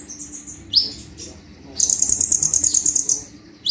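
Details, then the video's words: Caged sunbird singing actively in a 'tembakan' burst style. After a single sharp upslurred chirp, a dense high buzzy trill runs for over a second, then stops. The background is quiet with a faint low hum. "KONIN GACOR FULL TEMBAKAN"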